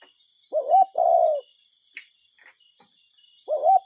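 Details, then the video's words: Cuckoo heard in nature, two-syllable calls with a short climbing note leading into a sustained, slowly dropping note, the pair repeating after about three seconds, little else audible. "Relaxing Cuckoo Bird Sound in Nature"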